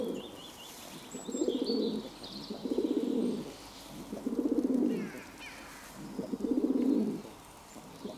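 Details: Pigeon calling, recorded 11 June 2022: four drawn-out, purring low coos, each about a second long and rising then dropping, separated by short pauses, while small songbirds whistle faintly in the background.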